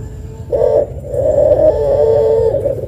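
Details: Long-voiced Barbary dove (puter pelung) calling as a lure to set rival doves calling: a short note, then one long, steady, humming coo held for about a second and a half over a low background rumble.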